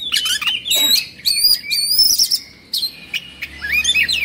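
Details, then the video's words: Agitated kacer, the Oriental magpie-robin, with open beak and fanned tail; loud, high whistled notes in clustered phrases, a short pause, then further sliding warbled notes. "Suara Kacer Emosi/Kongslet"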